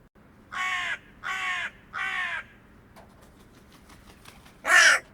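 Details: Hooded crow recorded in the wild, giving three harsh, hoarse caws about a second apart, then a louder, rasping final caw, with faint clicks between.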